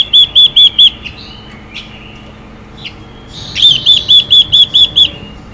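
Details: Chinese hwamei female singing to excite males, opening with four crisp whistles, then a few faint thin notes, then a longer evenly paced series of about seven ringing whistled notes.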